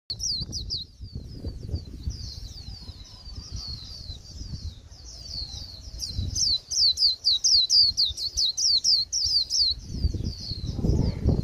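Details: Japanese white-eye (khuyên bổi) at the end of the season, singing a plain, dull 'líu' warble: rapid runs of high, thin downslurred notes, sparse at first and then dense fast chatter from six seconds, over low background rumble.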